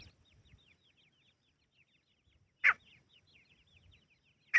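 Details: Grey francolin (teetar) calling in natural forest: two loud, harsh notes about two seconds apart over a steady chatter of faint, twittering small birds.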